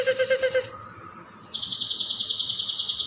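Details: Caijo song, recorded as a master for training other songbirds: a dense, fast, buzzy trill with a lower pulsed strand, breaking off, a short pause, then a steady high buzzing trill resumes.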